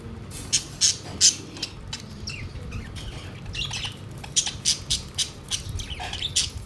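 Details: Pet budgerigars gathered around their food plate. Quick bursts of scratchy, high chirps and squawks come in clusters, some sharp and bright, others softer and warbling, over a low indoor hum.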